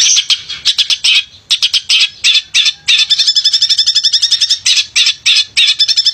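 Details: A male long-tailed shrike sings to stir silent shrikes into song, pouring out harsh rasping bursts and a stretch of fast even rattling notes, all high and loud.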